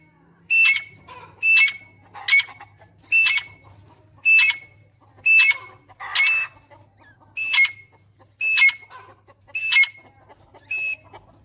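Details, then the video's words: Grey francolin (dakhni teetar) calling steadily: loud, shrill high notes with a sharp whistled start, repeated about once a second for eleven phrases, and a low hum underneath. "Grey Francolin Teetar Sound"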